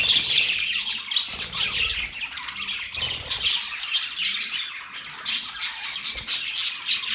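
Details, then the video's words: Budgerigars chirp and squawk nonstop, a dense, buzzy high chatter from several birds overlapping across seven seconds. "Budgie chirping sound"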